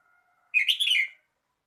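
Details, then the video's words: Red-whiskered bulbul singing: a single short, rich warbled phrase of about half a second, made of quick slurred notes at a bright, fairly high pitch, preceded by a faint, steady low hum in an otherwise quiet background. "chào mào hót"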